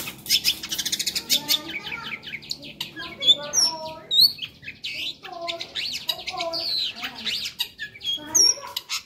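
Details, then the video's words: Long-tailed shrike song, rich with borrowed phrases: a fast rattling opening, then mixed whistles, harsh chattering notes and lower warbled phrases in short, varied bursts. "suara masteran burung cendet gacor ,isian hidup"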